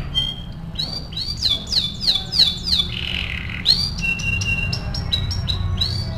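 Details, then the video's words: Canary singing for song training, a phrase of repeated arching whistles, then a buzzy held note, followed by spaced short bright notes repeated about twice a second. "MASTERAN KENARI AF GACOR"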